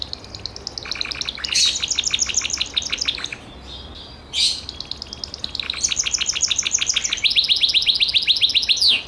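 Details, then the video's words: Gloster canary singing rapid high trills of short repeated notes, a brief break near the middle, then a brighter run of quick chirping notes to the end. "CANARIO GLOSTER"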